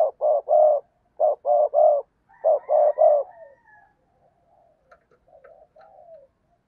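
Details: Spotted dove decoy bird luring wild doves. It gives repeated bursts of three low, hollow coos over the first three seconds, then fainter softer murmurs trail off in a quiet setting.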